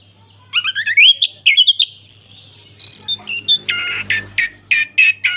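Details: Orange-headed thrush in loud ngeplong singing style, used as a lure to restart a thrush that stopped singing: rapid varied whistled phrases, rising slurs, then evenly spaced bright two-note bursts, with a faint steady low hum beneath.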